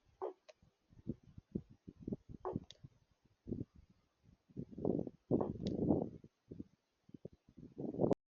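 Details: A raven, near two vultures drinking, gives soft, hollow glocking knocks in irregular clusters, some quick and some drawn into throaty gurgles, against a quiet background.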